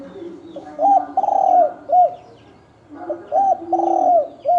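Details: Spotted dove of the 'thổ đồng' sort in a 'kích trống, kích bổi' fight. Two cooing phrases about two seconds apart, each a short rising-falling note, then a long grating descending coo, then a short arched note.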